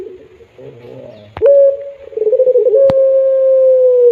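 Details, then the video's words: Pelung-type spotted dove with a sweet, drawn-out cry: a soft burbling start, then a long, sustained low coo that pulses briefly before holding steady and sinking slightly, broken by sharp clicks. "Tangisan Merdu || Burung Puter Pelung"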